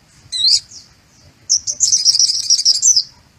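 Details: White-eye giving a sunbird-style learned song: a short sharp high burst, a pause, then a long fast jangling trill of high twittering notes.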